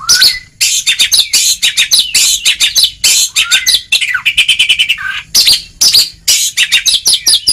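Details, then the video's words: Oriental magpie-robin used as a training track to get lazy birds singing, delivering a dense, loud run of sharp clicks, rasping notes and short whistled slurs, nearly unbroken throughout. "Kacer Ngeplong!!! Masteran sangat ampuh untuk terapi mental kacer malas gacor"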